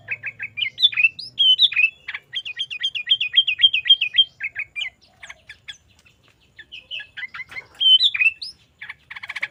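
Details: Vigorous 'Garuda isian' song of a sooty-headed bulbul, used for tutoring caged birds: a run of quick identical wavering whistles repeated about four per second, a softer scratchy pause, then bubbly rising and falling phrases.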